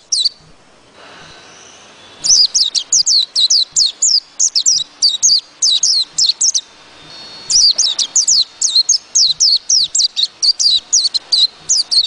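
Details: White-eye singing bursts of rapid, high, thin twittering notes, each burst lasting several seconds and separated by short pauses, over a faint, steady low ticking.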